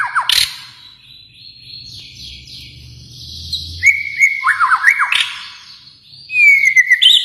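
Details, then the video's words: Kalimantan white-rumped shama: a sharp chip, a quieter stretch of high faint notes over low hum, then loud sliding whistled phrases with rapid falling notes and a final drawn-out whistle. "murai batu Kalimantan"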